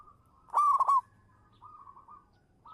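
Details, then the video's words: Local zebra dove used as a lure, giving one loud burst of rapid, rolling coos followed by a soft, level trailing coo and the start of another phrase. "suara burung perkutut lokal manggung juara pancingan"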